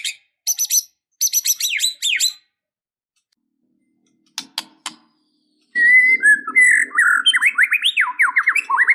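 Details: White-rumped shama in constant full song packed with varied filler phrases, used to rouse a sluggish bird into fighting mood: short bursts of high chirps, a pause, then a loud run of quick rising and falling whistled slurs with faint low rustling.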